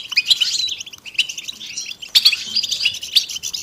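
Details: Several European goldfinches in a twittering group chorus of mating and readiness calls to stimulate male singing; quick chirps and short liquid trills, with sharp bright accents near the start and around two seconds.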